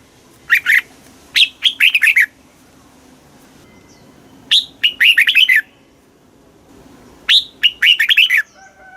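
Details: Caged red-whiskered bulbul song in a southern-style master pattern, used to stimulate other birds; three bright whistled phrases, each a rising opening note followed by rapid descending warbles, separated by pauses with faint background chirps.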